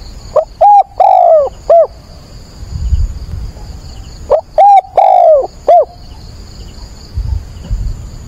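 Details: Dawn calling by a decoy spotted dove on 22 October, meant to draw in and train wild doves. Two identical loud phrases about four seconds apart, each made of short hoots around a long descending coo, over low rumbling background noise.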